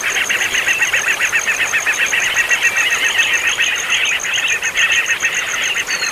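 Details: Noisy bird chicks calling whether fed or not, a dense nonstop chattering mass of mid-high notes with a steady pulsed high tone running through, loud throughout.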